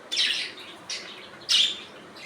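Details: Three harsh, buzzy budgerigar chirps, the first and last longest and loudest, each a scratchy high squawk-like note with a short pause between.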